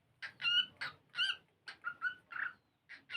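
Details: Cockatiel singing while playing, a bird learning to sing and dancing: bursts of harmonic, chirpy warbled notes, some with bright whistled overtones, in an irregular run with short pauses and a faint low hum beneath.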